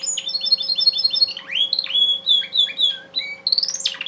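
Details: Male Timbrado canary bred in captivity sings a varied phrase: a quick run of repeated whistled notes, then sweeping descending slurs and a sharply rising final note, over a steady low electrical hum.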